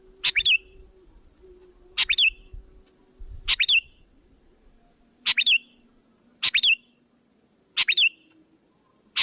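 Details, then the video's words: Sooty-headed bulbul lure call used to draw other bulbuls in: six sharp, high chirping bursts, each two or three quick notes, spaced about every one to two seconds, with a faint low hum underneath. "Suara Pikat Gacor Memanggil"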